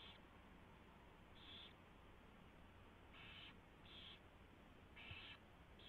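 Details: Owl at the nest during a predawn mouse delivery, 4:21 AM, February 24, 2016; six rasping hiss calls over six seconds, closer together toward the end, with a soft background hum.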